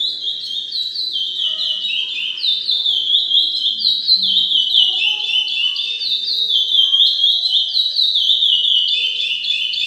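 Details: A captive-bred chestnut-bellied seed finch chick learning to sing warbles a steady, rambling stream of high whistled notes that slide up and down, unpolished and continuous, with no other sounds.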